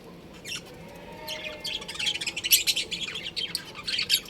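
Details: Breeding pair of budgerigars kept as pets, chattering in a dense, fast run of high, scratchy chirps and warbled notes that builds after the first second and keeps going to the end.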